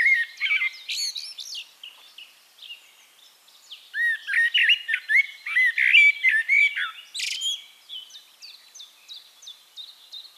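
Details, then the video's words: Eurasian blackbird in song at Castricum in the Netherlands: rich, varied fluting phrases mixed with squeaky, twittering flourishes, in busy bursts with short pauses. A series of high, repeated chirps from another bird trails off at the end. "One Hour Relaxing Birdsong: Blackbird"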